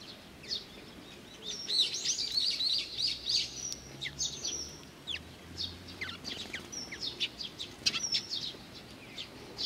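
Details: Eurasian tree sparrows gather to be fed at Mizukami Bridge on 4 June 2020, giving a busy, overlapping stream of high, short chirps and twitters from several birds, some rising in little bursts, over a low background hum.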